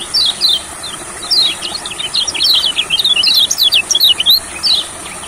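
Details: Olive-backed sunbird at a rice field during song therapy: near-continuous bright, high, thin notes rising and falling in quick succession, a busy twittering chatter, against a steady shrill background whine.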